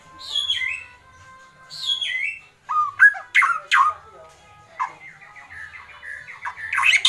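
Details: White-rumped shama in an agitated kretekan display: two long descending whistles, then sharp, rapid chattering bursts and a stuttering run of varied notes that grows louder toward the end.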